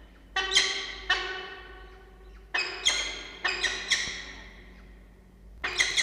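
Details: Peregrine falcon at a nest box in a water tower at Charles Sturt University, Orange, New South Wales, Australia, 8 October 2024, 09:20, with two recently hatched nestlings: harsh, grating, rich-toned calls in bursts of one to three notes, roughly every second, over a quiet low hum.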